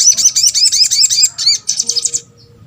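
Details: Sunbird (sogok ontong) calling to draw responses from other birds: a dense, very high trill of quickly repeated looping whistled notes for about two seconds, fading into silence.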